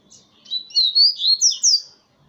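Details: Brief phrase from a double-collared seedeater singing on a hand: a run of sweet, high slurred whistles rising and falling in quick succession.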